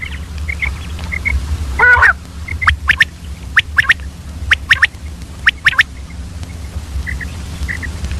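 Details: Early-morning calling of a female common quail: a single harsh rasping burst, then a string of crisp, evenly spaced chips and faint soft notes. A low hum runs underneath.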